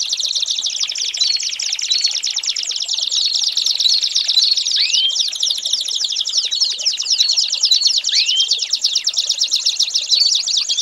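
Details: An American singer canary delivers tutor song for young birds to learn: a dense, rattling high trill that runs without a break, with only a couple of downward-sweeping whistles.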